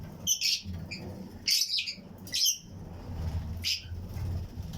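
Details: Fischer's and lutino lovebirds in a breeding flight colony: four separate bursts of piercing, high chirps a second or so apart, with a steady low hum underneath.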